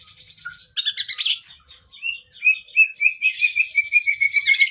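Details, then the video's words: Training song of an oriental magpie-robin, kacer 'gacor' with long 'isian' content: bursts of dense chattering notes, then a string of clear rising whistles repeated roughly every quarter second, and a final busy chatter. "Masteran Burung kacer Gacor isian Panjang Paling Ampuh"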